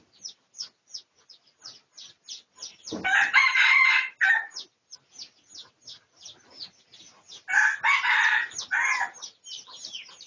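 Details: A pradu-coloured red junglefowl in a research recording made 18 August 2023 gives two harsh, broken crows of about a second and a half each. Small birds keep up quick, high chirping throughout.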